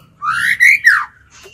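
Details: Brief phrase from a captive White-rumped shama used as a lure against wild birds: three loud, clear whistled notes, the first rising and the last falling.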